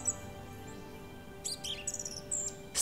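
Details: A male song thrush singing in a Russian forest in mid-April as evening falls gives a few short, bright, high chirped notes in quick succession, with a steady low hum of background music underneath.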